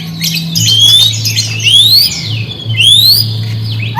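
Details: White-rumped shama lure song to provoke silent shamas: a few clear, high, rising whistled sweeps spaced about a second apart, with soft chatter between them and a steady low hum.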